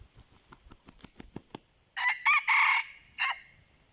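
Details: A series of dry rhythmic taps comes first, then a wild red junglefowl answers a decoy with a loud four-part crow: short, short, long and harsh, then a clipped last note.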